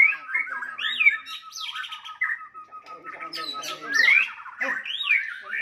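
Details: White-rumped shama song intended to enrage rival birds: loud swooping whistles and chattering bursts over a steady thin tone held through the middle.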